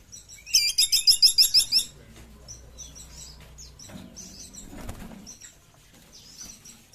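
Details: Sunda pygmy woodpecker calling: a fast burst of about nine sharp, high, buzzy notes packed into just over a second, then faint scattered high chirps and a soft low background rumble.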